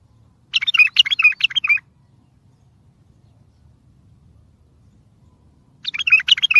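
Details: Strong bulbul song for trapping, to make far-off bulbuls answer: a rapid, chattering phrase of bright up-and-down notes for about one second, a long quiet gap, then the next phrase beginning.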